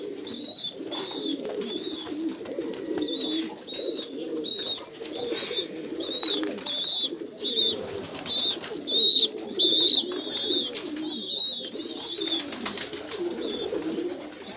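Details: Captive Jambu pigeons kept as domestic birds, cooing in low, continuous murmuring rolls, while sharp high chirps from other birds repeat roughly every second over the top.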